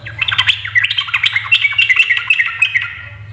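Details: Yellow-vented bulbul female voice used to stir males into rapid song: a dense, continuous chatter of bubbly chirps and squeaky notes running for over three seconds without pause.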